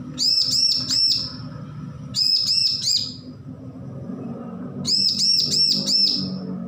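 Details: Young bar-winged prinia, just weaned from hand-feeding, practising its song: three bursts of four or five high, arched chirps in quick succession, separated by pauses of about a second, over a low steady background hum.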